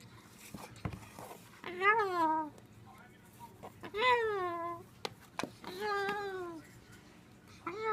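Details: Talking pet Moluccan cockatoo indoors: spaced, voice-like calls roughly every two seconds, each one a falling harmonic slur, with soft clicks between them.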